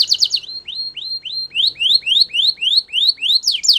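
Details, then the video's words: Belgian canary song played for training young canaries: a brisk rapid trill opens, then clear rising whistled notes repeat about four times a second, ending in a sharper, faster burst of sweeping notes. "Canary Singing Training !! Belgian Canary"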